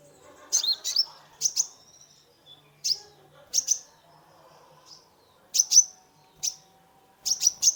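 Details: Sunbird (konin) song used to stimulate a stressed caged bird: high, thin chirps and quick upslurred notes in short clusters of two or three, separated by brief pauses, with a faint low hum beneath.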